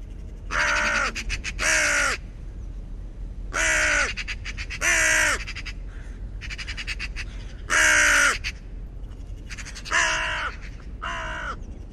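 A raven gives seven harsh, hoarse croaks, some in quick pairs and some alone, spread over twelve seconds, against a faint background hiss.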